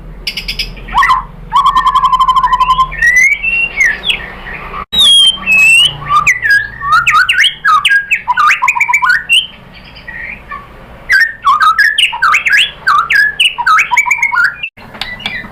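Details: Lure song of a white-rumped shama, meant to provoke rival shamas into singing. A dense, fast run of loud whistled and warbled notes, some sliding up or down, with rattling buzzy segments and short pauses. Faint steady low hum underneath.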